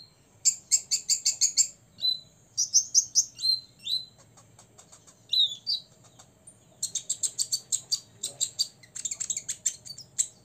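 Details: Olive-backed sunbird, six years old, in ngobra song to rouse rivals: quick trains of high sharp chips alternating with brief whistled slurs, ending in long dense chip rattles.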